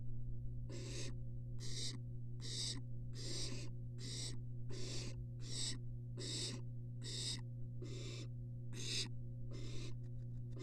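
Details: Three wild barn owls in a nest box, filmed by a live nest cam at the University of Florida. They make a dozen rapid, breathy, rasping hisses over ten seconds, evenly paced, against a persistent low-pitched hum.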